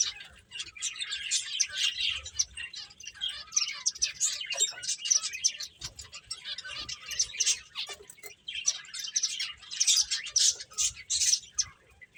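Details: Several finches chirping while playing, a dense chatter of high, thin chirps and twitters running almost without pause, louder bursts near the end.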